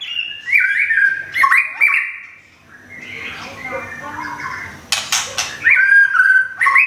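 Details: White-rumped shama from Thung Song, Thailand, a kept bird whose feathers are almost regrown after molting: whistled phrases at start and end, with a noisy rustling stretch and sharp clicks between.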